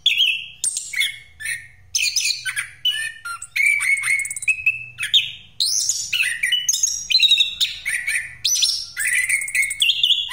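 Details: Long unbroken rolling song of an orange-headed thrush, used as a lure for birds: a fast stream of varied phrases mixing clear whistles, downslurred notes, harsh chips and high buzzy trills, delivered without a break throughout.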